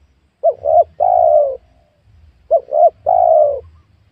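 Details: Spotted dove at a newly cleared small oil palm plot during wild dove luring. Two phrases of deep cooing: two short rising-falling notes, then one long, steady, slightly falling coo, with a pause of about two seconds between phrases.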